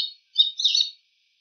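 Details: Wild bull-headed shrike imitating the calls of other bird species: a short high chirp followed by a brighter, slightly rising twittering burst lasting about half a second, clear and close with no other sounds.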